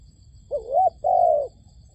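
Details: Decoy dove calling to lure wild doves into a trap: two short cooing notes, the first a wavering double-humped coo, the second a longer steady hooted note, over a faint steady high hum.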